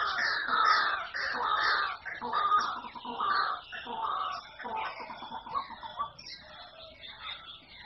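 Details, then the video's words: Harsh, repeated croaks from a white-breasted waterhen, loud at first and about one per second, then growing fainter, quicker and more broken toward the end "ডাকপাখি বা ডাহুকের ডাক। White breasted water-hen."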